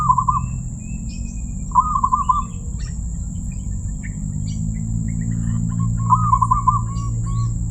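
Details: Zebra dove (perkutut) described as having a crystal voice, repeating short phrases of rapid, rolling coo notes, with faint fragments in between and scattered higher chirps. A low rumble and steady high whine persist.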